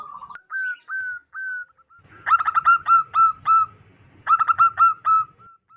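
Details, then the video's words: Wild local zebra dove with a big, clear voice used as lure: several spaced, smooth coo notes, then two rapid bursts of stuttering, rolling coos, each bout trailing into longer level tones. "PERKUTUT LOKAL ALAM GACOR SUARA BESAR DAN LANTANG COCOK BUAT PIKAT BURUNG PERKUTUT"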